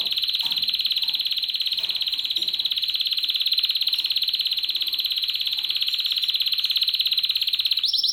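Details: Spanish Timbrado canary, a 7-month-old male, singing in the timbrado discontinuo style: a steady, metallic rolled trill of rapid regular pulses held for nearly eight seconds, ending in a brief higher note.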